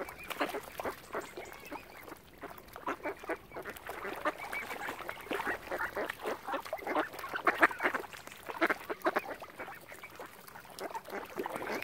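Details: Numerous ducks at Oxford Island on Lough Neagh, Ireland, gathered by a swan family, produce a continuous, crowded chorus of rapid raspy quacks with no pauses across the whole stretch.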